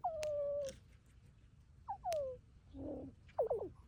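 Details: Neighborhood crows give clear, falling, whistle-like notes, one long and one shorter, then a low nasal note and a quick run of three short dropping notes.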